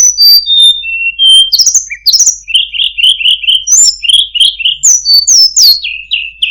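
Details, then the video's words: Tledekan gunung delivering a fast melodious song: descending whistled notes, then runs of quick repeated chirps, sharp upslurs and short trills, all bright and high-pitched. "suara burung tledekan gunung, sangat merdu cengkok bagus"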